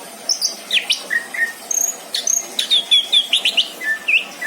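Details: Greater green leafbird kept at home, its song a fast string of clear whistled notes, upward sweeps and brief trills, notes coming several per second over a quiet background.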